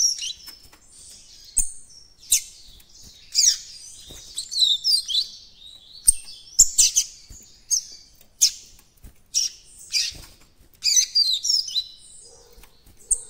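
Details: White-throated Seedeater youngster trying out its encarte song: long sequence of bright, high chirps, squeaky slurred notes and quick twittering phrases separated by brief pauses.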